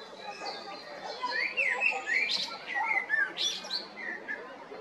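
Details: Male common blackbird singing at Jarun or Prečko in Zagreb, Croatia, in April or May 2022: mellow whistled phrases sliding around the mid range, followed by higher squeaky twittering flourishes, with faint background noise.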